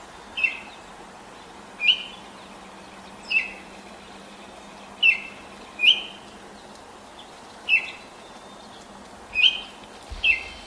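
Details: Baltimore oriole singing as the sun rises, 5:40 a.m. on 10 May 2024, in a neighbour's apple tree; eight short, sharp whistled notes repeated roughly every one to one and a half seconds.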